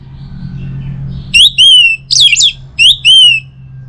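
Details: Orange-headed thrush song, used in the morning to stimulate other birds to sing: four loud, high whistled phrases, each a sharp upslur falling into a sustained whistle, with a steady low hum underneath.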